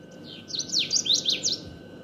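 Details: Common waxbill song: a short phrase of sharp, high buzzy notes sweeping up and down, about six slurred elements in quick succession, with a steady low hum underneath.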